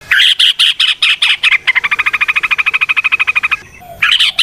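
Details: Yellow-vented bulbul in a lively ropel song with nrotok and ngecuplik variations, used to draw other bulbuls into singing: bursts of bright chattering notes, then a long, fast, even rattle of repeated clicks before more chatter.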